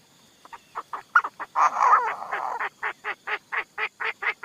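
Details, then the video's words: Decoy Chinese francolin calling: a few scattered harsh notes, then a longer rasping burst, then a steady run of short grating notes repeated about three times a second. "Tiếng đa đa mồi cực tác"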